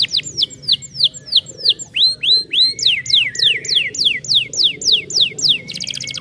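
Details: Caged canaries singing, used to stimulate silent canaries into song: rapid series of clear descending whistled sweeps, repeated about three times per second, ending in a fast buzzy trill; a faint low hum runs underneath.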